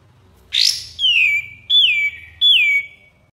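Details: Three clear, drawn-out whistles from a Common iora, each one falling then levelling off, given roughly once every 0.7 seconds over faint low hum, from master recordings meant for training songbirds.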